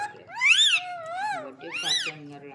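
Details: Talking green parrot utters drawn-out, voice-like sounds that rise and fall in pitch, two loud arching syllables with a softer gliding one between, somewhat like a meow, in an indoor room.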